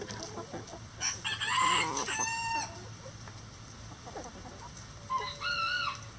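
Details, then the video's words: Crowing rooster among chickens in a coop: one long, loud, harsh crow of several syllables over nearly two seconds, then quieter clucks and a second shorter, more distant crow near the end. "Chicken Sounds | Rooster Crowing"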